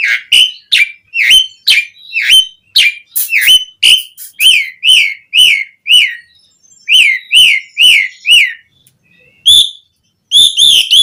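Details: Asian pied starling (jalak suren) song used to prompt caged starlings to sing: loud, rapid whistled notes, each dipping and rising, repeated about twice a second with a brief pause near the end.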